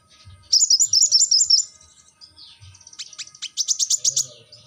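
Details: Brown-throated sunbird singing energetically: a quick run of high, sharp chirped notes, a short pause, then a second burst of rapid high twitters growing louder toward the end.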